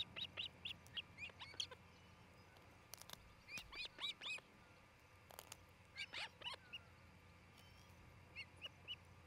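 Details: {'caption': 'Ospreys at a nest in Charlo, Montana, recorded by a nest camera on 27 June 2018 around noon; clusters of shrill chirps come in bursts separated by pauses, with knocking sounds and soft background bird calls.'}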